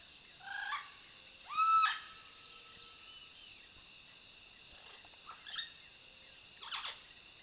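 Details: Parrots at Lago Lindo giving a few harsh, harmonic calls in short bursts. The loudest burst comes near two seconds, with fainter calls later. A steady high insect-like buzz runs throughout.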